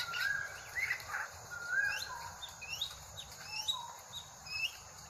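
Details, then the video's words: Drongo in Indonesia, a bird likened to a crow, giving faint, thin, high whistled notes, short upslurred and downslurred, scattered irregularly about once a second over a steady hissing background. "Burung srigunting mirip gagak"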